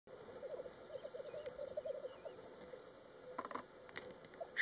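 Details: Black grouse lek display: a low, bubbling, cooing warble runs through the first half, fading under scattered clicks, taps and faint higher chirps against a steady hiss.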